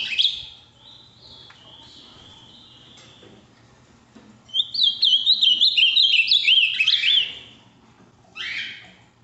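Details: Ultramarine grosbeak of the Minas Gerais region, Brazil, a big deep-blue bird with a firm song: soft buzzy notes, then a strong, rapid warbling phrase of bright whistles, followed later by one harsh buzzy call.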